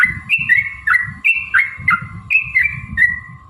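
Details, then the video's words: Yellow-vented bulbul singing in a long, fighting style to lure responses: cheerful, liquid phrases of slurred notes rising and falling, repeated about every third of a second, with a low steady hum behind. "trucukan gacor TARUNG ROPEL PANJANG pancingan trucukan agar bunyi jadikan burung trucuk gacor EMOSI"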